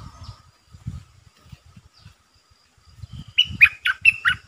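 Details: Decoy red-eyed bulbul calling to wild birds. Low knocking and rumbling sounds, then a loud string of bubbly, slurred whistled notes at the end.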